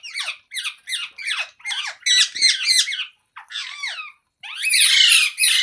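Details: Rapid harsh chattering from a parrot: quick repeated rasping notes at several per second, a short pause, then a longer, louder screechy squawk at the end.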